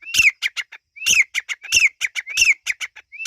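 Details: Irani teetar partridge chicks calling in rapid rhythmic phrases: a rising whistled slur that drops into a harsh grating note, trailed by several short scratchy clicks, repeating about every 0.7 seconds.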